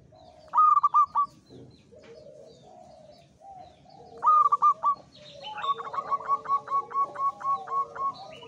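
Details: Local wild zebra dove male in strong breeding condition: two short clipped trills of cooing notes, then a long, evenly spaced run of staccato coos overlapping a second dove, with low murmuring doves behind.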